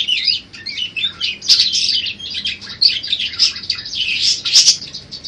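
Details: Budgerigar chattering song, one of several variations used to train other birds, delivered as an energetic jumble of buzzy, nasal warbles and sharp squeaks that rise and fall in loudness.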